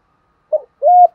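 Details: Spotted dove (cu gáy), 'giọng thổ' voice, lure for wild doves; a short burred note followed by a smooth, slightly rising hollow coo held for about a quarter second.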